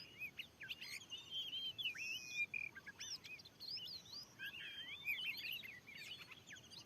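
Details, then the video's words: Wild oriental magpie-robin, described as very fierce, answering a lure on newly cleared land: a varied run of high whistled notes, slurred upward and downward phrases and short chirps, fairly faint against steady background hiss. "ada burung Kacer yg sanggat ganas"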